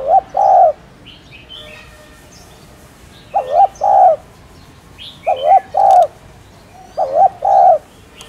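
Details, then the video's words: Spotted dove cooing, a recording used to stimulate kept doves into cooing. Three clear low cooing phrases of two to three rounded notes, evenly spaced, with faint high chirps from other birds between them. "Tiếng Cu Đất Gáy , Cu Cườm Gáy Kích Bổi"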